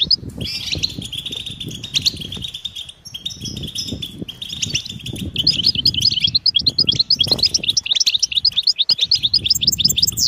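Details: Goldfinch twitter meant as mating and readiness calls to push a quiet male into song: buzzy, bright chatter at first, then long runs of fast, crisp ticking notes, with steady low rumbling and rustle behind.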